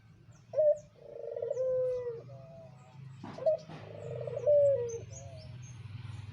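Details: Pelung-style Barbary dove, a captive breeding adult, cooing twice over a low background hum. Each phrase has a short bright opening note and then a softer wavering coo that slides down. A noisy rustle falls between the two phrases.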